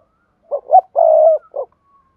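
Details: Spotted dove giving a prompting coo for other doves: two short rising hoots, a long steady low coo, then a final short hoot, mellow and even, against a quiet background.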